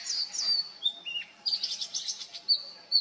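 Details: Oriental magpie-robin singing with vocal mimicry: whistled notes near the top of its range, slurred downward phrases, then a burst of buzzy churring notes and short sharp whistles.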